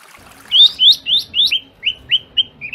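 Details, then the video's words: Long-tailed shrike in a master recording for training caged birds, kuntilanak style joined with fighting sparrow, fast and tight: a run of eight short, sharp, downslurred whistled notes, the first ones quicker and louder, then spaced and softer. "Cendet Kuntilanak Sambung Gereja Tarung Speed Rapat"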